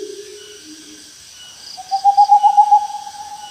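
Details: Owl call: two soft low hoots at the start, then a higher, rapidly pulsed, trilling note held for almost two seconds.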